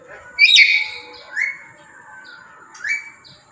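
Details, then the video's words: Tame captive black-capped lory calling loudly: one harsh, rasping squawk followed by two shorter, rising whistled calls spaced about 1.5 seconds apart. "Lantangnya suara burung Nuri kepala Hitam"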